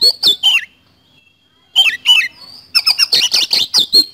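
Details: An Oriental magpie-robin (kacer) singing in 'speed roll' fashion: two or three downslurred whistles, a short silence, two more slurred notes, then a dense rapid volley of piercing high chips.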